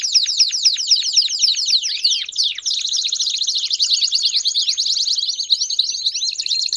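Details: Several Belgian canaries singing together to prompt a canary to sing much, giving a loud dense stream of rapid chirping notes and trills with overlapping voices and no pause.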